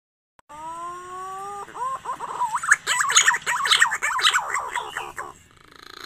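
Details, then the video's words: Green pigeon lure call for trapping birds at their nest: a long steady whistle, then a dense burst of rapid warbling and chattering notes for about three seconds that fades out. "pikat burung punai"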